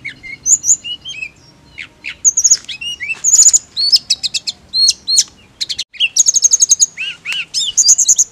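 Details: Blood-breasted flowerpecker, played as training audio for a bird that only gives short chirps: rapid, very high thin trills and chirps alternate with sharp downslurred whistles and bursts of ticking notes, with a brief pause near the end.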